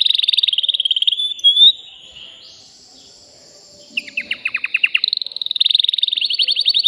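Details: Male canary in a cage, agitated and singing to arouse a female for mating. A rapid rolling trill stops, followed by two seconds of near silence, then slurred descending notes and another fast trill.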